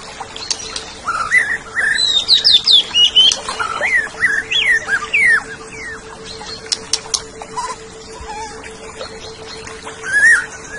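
Greater green leafbird singing a varied run of bright whistles, slurred rising notes and quick chirps in bursts, with a steady faint hum beneath.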